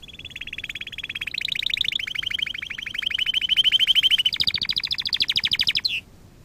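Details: Canary song for training young singers: a continuous mid-pitched rolling trill, slightly rising and falling in tone, growing louder, then jumping to a higher fast tour before stopping abruptly.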